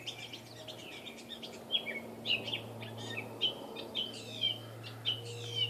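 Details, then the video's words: In a Saskatoon backyard, a hidden catbird strings together scratchy chatter, then clear slurred whistles repeated roughly every half second, with a faint low hum throughout. "Audio of a "cat bird" in my backyard in Saskatoon."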